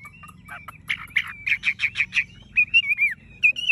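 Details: Tame Chinese hwamei with yellow bill, legs and plumage, giving a run of rapid, evenly repeated chirps followed by a wavering whistled phrase and a sharp high note.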